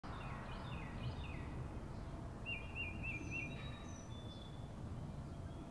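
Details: Wild birds chirping outdoors: a quick series of descending chirps, then a rapid warbling trill, with thin high whistled notes from other birds over a steady low rumble of background noise.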